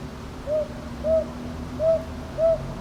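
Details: At Ichijoji, Sakyo Ward, Kyoto, a northern boobook gives four mellow hoots in two pairs, each pair's notes roughly half a second apart, against a low steady hum; captured 22 May 2023 on a TASCAM DR-100MKIII.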